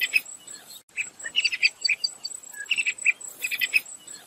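Sharp-tailed tyrant giving quick bursts of thin, high chips and twittery notes in short clusters, over a steady high insect buzz.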